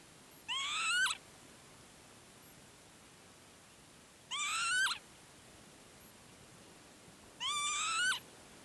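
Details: Northern Lapwing at Herdla Bird Preserve, Norway, standing on a raised, levelled patch of land: three rising, nasal, wheezy calls spaced about three and a half seconds apart over a quiet background.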